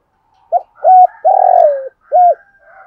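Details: Spotted dove decoy calling to attract wild doves: a single phrase of brief note, level coo, long sinking coo and closing coo, over faint higher background calls.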